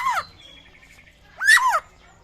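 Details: A rare butcherbird from Papua, with a call said to resemble a raptor's: two harsh, ringing notes that sweep downward, spaced about a second and a half apart, over quiet background.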